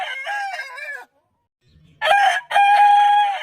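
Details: Rooster crowing: the wavering tail of one crow, a short quiet gap, then a new crow in two parts, a brief harsh burst and a steady, strong ringing note.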